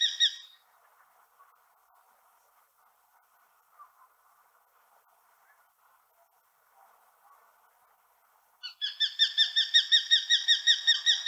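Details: In Central Russia, a common kestrel gives one brief shrill note, then a quiet pause with a faint background murmur, then a fast run of sharp, ringing 'kee-kee-kee' notes, nearly three a second.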